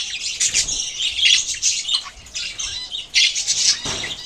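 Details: Budgerigar chatter made of bursts of high chirps and scratchy squawks, busy at first, briefly thinner midway, then rising again into loud overlapping warbles.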